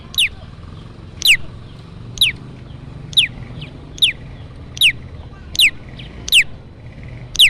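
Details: Olive-backed tailorbird calls used to lure birds for trapping: loud, sharp notes sweeping downward, repeated about once a second in a steady series, with low background rumble.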